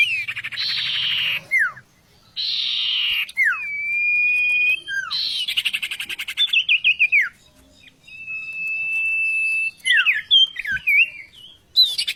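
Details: Singing oriental magpie-robin used as a vocal tutor: long grating buzzes, falling whistles, a fast stuttering run of notes, a long pure level whistle, then twisting slurred phrases.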